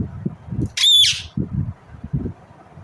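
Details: A single loud, harsh squawk from an Indian ringneck parrot, about a third of a second long, over low knocking and rumbling background noise.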